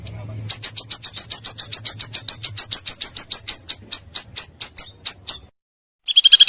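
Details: Calls of a pancawarna bird, meant for luring: a fast, even series of high clipped notes, about three or four per second, slowing slightly toward the end, then a short burst of louder chatter.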